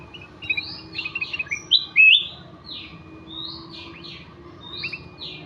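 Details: Ruby-throated bulbul (kutilang emas) singing actively: a lively run of clear whistled, sliding notes, some rising and some falling, delivered in quick bursts with short pauses, over a faint low hum.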